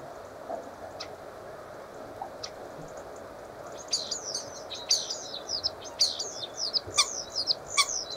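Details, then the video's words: Common starling: a few isolated clicks, then from midway a dense, high chattering run of squeaky, rapidly changing notes with sharp ticks mixed in. "Čvorak / A Common Starling"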